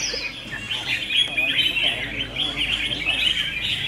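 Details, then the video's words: Red-whiskered bulbuls in a singing contest sing together in a dense, unbroken stream of bright, overlapping chirps and short whistled phrases, high-pitched throughout, with faint voices in the background. "Red Whiskered Bulbul Singing Battle"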